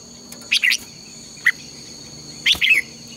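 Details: Red-whiskered bulbul contest song for morning training of birds: a double slurred warble, a lone clear note a second later, then another bubbling double phrase, over a continuous thin high whine.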